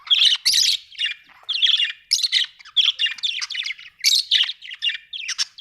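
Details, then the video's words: Budgerigar chattering continuously, loud buzzy chirps and rasping squawks packed closely together in a lively, unbroken stream. "budgie chirping sound"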